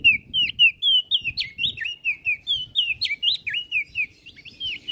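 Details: Energetic song of an olive-backed tailorbird, played as training material for cage songbirds: quick repeated chirps, each a short downward-then-upward flick, packed about four per second in a steady stream, with a light background hum.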